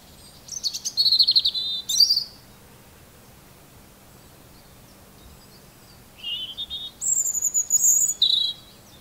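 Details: Two separate high robin song phrases, the first a quick twittering run, the second a thin sliding whistle with sharp trills, separated by several seconds of near silence.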